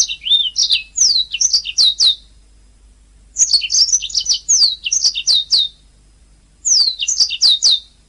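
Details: Canary song from a long-duration master recording used to train singing canaries: three bursts of rapid high chirps, downslurred whistles and trills, separated by short pauses.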